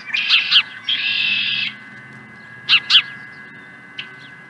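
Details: Osprey at a ranch nest on 16 April 2020: paired sharp, high chirps, then a sustained squealing note of nearly a second, another pair of chirps near three seconds and one faint final note, over a steady low hum.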